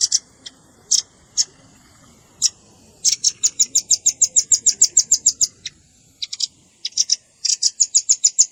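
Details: Velvet-fronted nuthatch lure recording including juvenile calls: scattered high chips give way to two fast, regular trains of sharp ticking notes about three per second.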